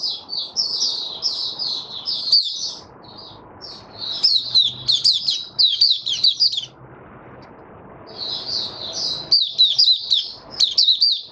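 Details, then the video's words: Male white-eye opening song: fast, high chattering twitters in extended bursts with a pause mid-clip, punctuated by repeated sharp clicks and knocks. "Mata Puteh Raja Stablizing his form buka sing"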